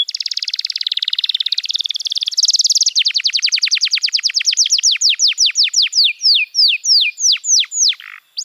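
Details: Canary song used as a master recording for training young canaries to sing: fast buzzy trills at first, then a long run of quick descending whistled notes that slow and lengthen toward the end.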